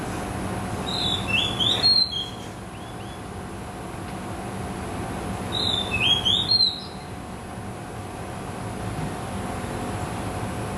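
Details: Oriental magpie-robin, a familiar garden bird of open country in Malaysia, singing two short bursts of bright, high whistled phrases with quick slurred notes, separated by a pause of several seconds, over a steady low hum.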